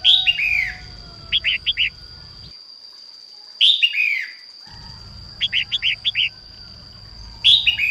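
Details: Red-whiskered bulbul female singing to stimulate males: falling whistled phrases alternate with runs of four to five short bright notes; a brief silent gap midway, and a faint constant high tone throughout.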